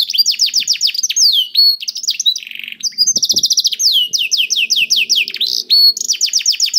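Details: Canary singing as a prompt for other canaries: fast repeated falling whistled notes, a buzzy rattle and rolling trills in quick succession, with a low knock and faint hum in the background.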